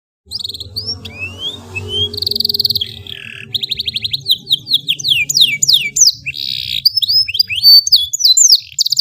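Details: Canary in long melodious tutor song meant for training young birds: rapid upswept whistles, buzzy rolled trills and repeated chirp series, with a low hum beneath.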